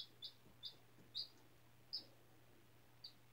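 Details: Baby chicken, four days old, hatched from a classroom-incubated egg and kept on freshly changed bedding, uttering six sharp high peeps, spaced irregularly across three seconds, with a faint steady hum beneath.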